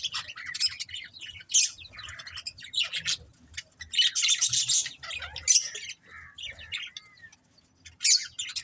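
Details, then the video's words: Several pet budgerigars chirp in a lively, scratchy chatter, bright buzzy bursts alternating with squawky notes and short pauses, the busiest warbling near the middle and again at the end. "Cute Budgies Chirping Sounds"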